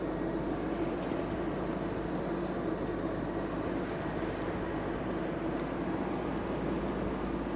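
Steady low engine rumble of a vehicle runs throughout, with no animal voices heard.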